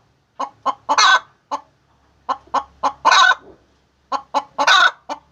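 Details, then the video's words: Hen's laying call: groups of three or four quick clucks, each group ending in a long, loud, harsh squawk, with brief silences between groups. "The Sound of a Hen Laying Eggs"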